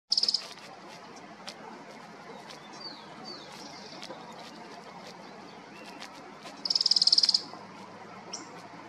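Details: Thorn-tailed rayadito at Manzano Brujo, San Martín de los Andes, Neuquén, Argentina, gives two short bursts of very high, dry, rapid trilling, one at the start and one near the end, over faint background hiss.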